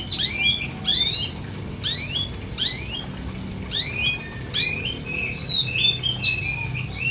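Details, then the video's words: Long-tailed shrike without a cage cover delivering repeated sharp downward-sweeping squeaks in pairs and singles, then a few flatter whistled notes toward the end, steady hum in the background. "Cendet No Salto - No Kerodong"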